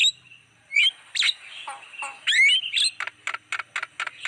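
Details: Lure track of Javan myna for attracting wild birds: a few squawks and warbled whistles, then a quick regular series of short clicking chips.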